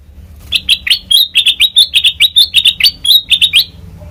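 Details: Black-crested bulbul used as a lure for bird trapping: a rapid run of sharp, bright chirps, about two to three per second, each note slurring upward, with a low hum underneath.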